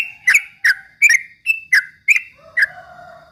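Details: Straw-headed bulbul song for provoking rival birds: about seven bright, emphatic notes spaced evenly, each with a clipped, ringing attack, ending with a softer lower tone.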